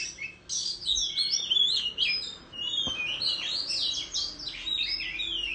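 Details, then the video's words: Oriental magpie-robin singing competitively with a tail-fanning display in the countryside; a dense run of bright, varied whistled phrases and sweeping chirps, high-pitched and continuous, with a brief low thud near the middle. "Chích Choè Than Hót Múa Xoè Hót Đấu Tại Vùng Quê"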